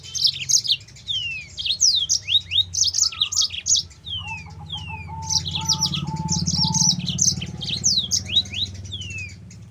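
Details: Yellow-fronted canary (mozambik) song for luring and training other canaries: a lively stream of high sweeping chirps and falling slurs, mixed with lower repeated whistled notes, over a low hum.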